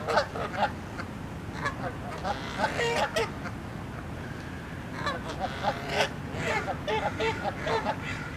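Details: Flock of Canada geese honking angrily while they argue, fight and charge at each other. Many overlapping nasal honks come in uneven bursts over a steady low rumbling background noise.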